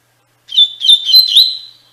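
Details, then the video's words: Double-collared seedeater singing the Tui Tui Fibra style for training captive birds; a short phrase of clear, quick whistled notes that twist up and down, ending in a drawn-out steady whistle. "Encarte para Coleiro e Baiano - Canto Tui Tui Fibra"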